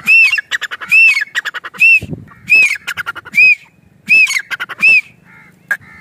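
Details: Grey francolin in a village, natural environment: strident phrases of an arched squawk followed by fast clipped notes, repeated steadily, then fading to quieter background sounds near the end.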